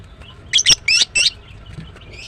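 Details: Chirping from a female greater green leafbird: four loud, sharp, scratchy chirps in quick succession, then a faint soft note trailing off.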